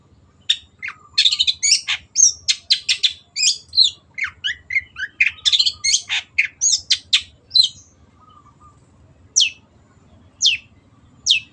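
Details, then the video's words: A cendet, the Long-tailed shrike, sings a fast, clear 'gacor' song. A dense run of scratchy, squawking and chattering notes lasts about eight seconds. Three sharp downslurred notes follow after pauses. A faint whistle is heard in the background. "MASTERAN BURUNG CENDET GACOR"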